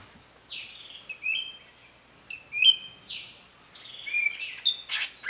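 Red-whiskered bulbul giving bright, chirpy phrases of quick notes and short slurred whistles, repeated about every second against a quiet background.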